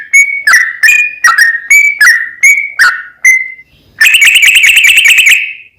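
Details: Yellow-vented bulbul ('trucuk') song used to provoke another bird to sing: a series of loud, clear whistled notes with falling tails, then a rapid buzzy chattering run.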